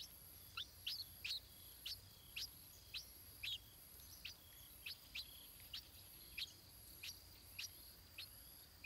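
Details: Nestling stripe-throated bulbul being fed by its parents, giving a steady, evenly spaced series of sharp high chirps about twice a second for nearly nine seconds.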